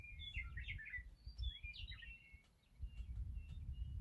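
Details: Meadowlark song in the morning: a quick, bubbling cluster of whistled notes, then a slurred, rising-and-falling phrase, and a few faint notes fading off, against steady wind rumble.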